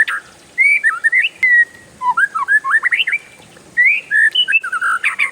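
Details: Oriental magpie-robin (kacer) in a long-roll song of bright whistles and quick chattering runs, delivered after a short silent start, with rising slurs and sustained notes.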